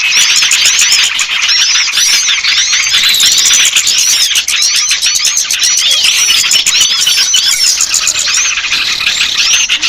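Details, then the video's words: Ten seconds of thick small-bird chatter for luring reluctant birds down: countless high chirps and short rising and falling whistles overlapping, with rapid steady clicks running through the whole passage. "Suara Pikat burung kecil yang susah turun"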